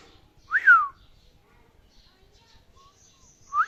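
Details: A pet parrot, male, gives a quick upslurred then downslurred whistle. After a long pause, a faint short note and another brief rising whistle follow.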